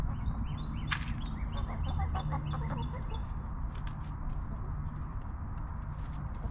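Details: Backyard hens relaxing in their coop make soft, quick clucking pulses in the middle, after a run of high rising chirps, over a steady low humming drone.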